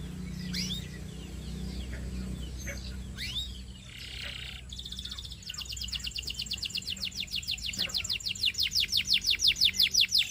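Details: Belgian canary song over a low background rumble: a few scattered swooping notes at first, then a steady, fast, regular trill of high sweeping notes that grows louder toward the end.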